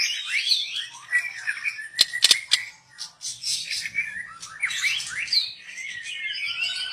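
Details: Young forest white-rumped shama, recorded for use as a lure, sings a dense high chattering warble of scratchy and whistled notes, broken midway by a few sharp clicks.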